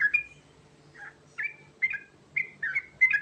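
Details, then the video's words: Sooty-headed bulbul (trucukan garuda) giving a few rolling song notes meant to make birds answer: short slurred whistles, some with a level trailing tail, spaced irregularly about half a second apart. "Panggilan Burung Trucukan Garuda Ngerol Isian Mewah Cepat Bikin Nyaut"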